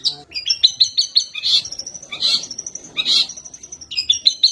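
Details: Long-tailed shrike singing sparrow imitations. Bursts of sharp high chirps alternate with harsher, buzzier notes about every second and a half. Faint low background noise.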